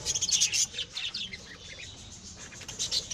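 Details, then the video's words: Pet lovebirds bred at home giving rapid, shrill high chirps in quick overlapping bursts, loudest in the first second and again near the end, with a quieter stretch of softer twitters between. "Lovebirds' Sounds Relaxation"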